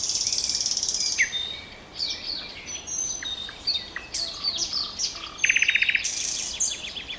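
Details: Common nightingale singing: opens with a fast pulsed rattle, followed by scattered high whistled notes and short chirps, then another bright rattling trill and a buzzy burst near the end.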